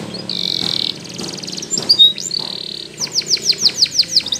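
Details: Morning song of a Spanish Timbrado canary for training: a sustained buzzy high trill, a brief pause, clicks and slurs, another steady rolled note, then a series of downward-sweeping whistled notes repeated several times per second.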